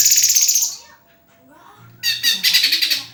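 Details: White-rumped shama singing vigorously: a loud, dense, buzzy burst of rapid harmonic notes, a quiet gap of about a second, then another fast rattling, chattering phrase.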